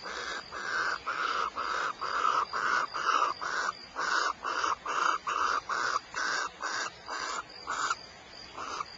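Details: Repeated raspy screeches from barn owls at Starr Ranch, California: a long, steady run of short hissing bursts, roughly two per second, keeping up for the whole stretch with only slight changes in loudness.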